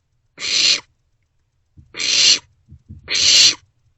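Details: Barn owlets in an owl box at night, around 2 am on 27 March 2024, sharing a vole meal; harsh broadband hissing screeches, three drawn-out rasps about half a second each with short scratchy sounds between.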